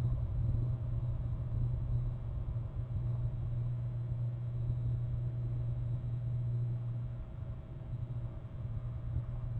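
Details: Only a low, steady engine rumble with a droning hum is heard, and no animal voice.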